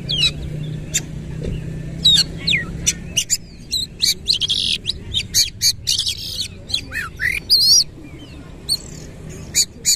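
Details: Singing Oriental magpie-robin, tail spread, in energetic 'nembak ngerol' style: a quiet start with a steady low drone, then a fast burst of piercing clicks, trills and bright looping whistles in the second half.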